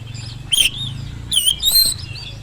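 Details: Oriental magpie-robin song used to provoke silent birds into answering: two short bursts of bright whistled notes with a harsh edge, over a low background hum.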